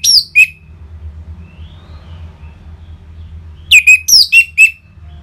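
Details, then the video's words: Orange-headed thrush, a lure for caged birds to start singing: a pair of high, downslurred whistles, a pause of over three seconds, then a lively run of five whistled notes, over a low hum. "ANIS MERAH Ngeplong Mantap Pancingan Burung Langsung Nyaut Gacor"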